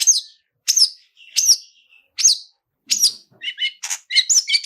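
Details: Long-tailed shrike lure with 'toet toet' calls and fill-ins to trigger singing: a few loud downslurred whistles spaced under a second apart, followed by a quick jumble of varied chirps.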